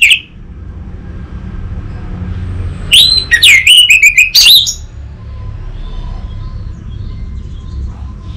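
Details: Orange-headed thrush lure and master song, used to prompt an untrained bird to answer with open, full singing: a loud burst of fast, clear whistled notes and trills lasting under two seconds, otherwise low hum and faint background noise.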